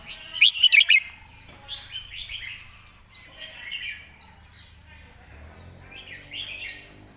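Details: Red-whiskered bulbul in master-song style with neat phrasing: one loud burst of rapid, bright, chirpy notes at the start, then softer scattered warbles and chirps from other birds over a low hum.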